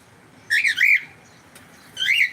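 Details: Pet cockatiel calling loudly indoors: two rapid harsh, rising-falling squawks close together, a brief tick, then a third grating squawk about a second later.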